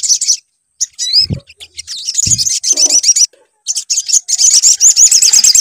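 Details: Sunbird singing, played to lure a bird into song. Scattered high twitters and squeaky whistles with low taps and brief silences, building into a steady, rapid, buzzy trill.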